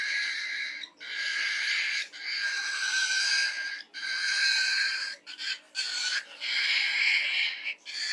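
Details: Caged-sounding falk bird giving unusual pig-like song: long, harsh, wheezy grunting bursts, each about a second, repeated six times with short breaks.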